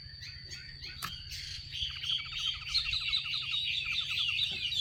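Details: Female Chinese hwamei calling to rouse males into song: soft scratchy notes, then a rapid dry rattle of repeated clicks under a continuous high warbling chatter, with a steady high tone throughout.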